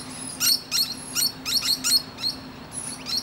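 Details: Musk lorikeet chatting to other birds from its branch: rapid shrill, sharp chips in irregular clusters, with a thin very high whistle drawn out in the background.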